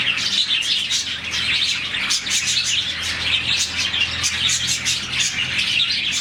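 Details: Morning chirping of a contented budgie colony numbering around forty: rapid high twitters and squeaks pour out nonstop, many voices overlapping in a dense, even chatter.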